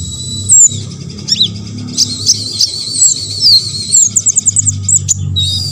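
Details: Olive-backed sunbird, a lively singer used to provoke others, giving a long high buzzy trill with sweeping whistles and quick stuttering notes near the end, over a low constant hum.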